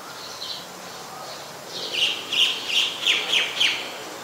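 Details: Common myna at Ubon Ratchathani, Thailand, on 15 March 2021. After a faint note, it gives a run of six bright, sharp chirps spaced about three per second, each sweeping down slightly, over steady outdoor background hiss.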